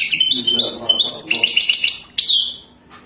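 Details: European goldfinch, a wild bird singing in the Wadani style as a mating song: a rapid, dense twitter of high tinkling notes and buzzy trills, ending in a falling whistled slur before fading to quiet.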